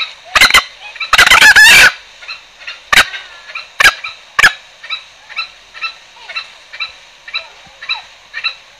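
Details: Green junglefowl lure sound used to attract birds for trapping: short harsh bursts, one longer rough crow near the middle, then a steady series of faint, high, evenly spaced notes repeating about twice a second to the end.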